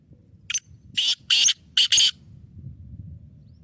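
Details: Kept black francolin (kala teetar) in Sindhi lakka nasal style, delivering one quick phrase of a short lead note and four loud harsh grating notes within about two seconds.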